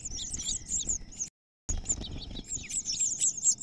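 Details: House finches at a fought-over nest, the newcomer female driving out the chicks; dense, high squeaky chirps run on continuously, interrupted by a short silent gap before resuming just as fast.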